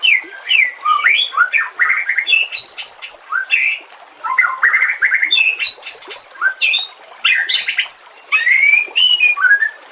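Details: White-rumped shama singing, a master recording for tutoring other cage songbirds; loud varied phrases mixing clear whistles, rapid trills and harsh buzzy notes, delivered in bursts of a second or two separated by brief gaps.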